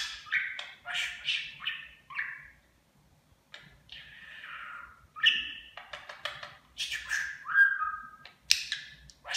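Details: Pet talking Budgerigar mimicking Turkish words and phrases of affection. Quiet, fast, raspy chattering syllables and warbles come in short bursts with brief pauses, in a small indoor space.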